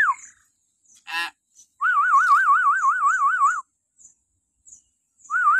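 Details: Shrill call of a common hill myna at morning, played to train captive mynas: a falling screech, a harsh burst, then nearly two seconds of rapid wavering whistling, followed by another brief whistle.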